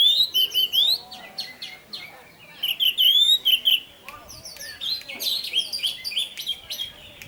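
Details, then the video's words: Orange-headed thrush (anis merah) song serving as a lure to prompt other thrushes to sing: bursts of quick rising whistles and clicks, mimic-like varied phrases, separated by quieter pauses. "Pancingan Burung Anis Merah Tarantula Anis Merah Teler untuk penggoda anis lain agar ikut teler"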